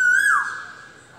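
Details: Asian koel giving a single loud clear whistled note that holds level, then slides down and fades with a ringing echo.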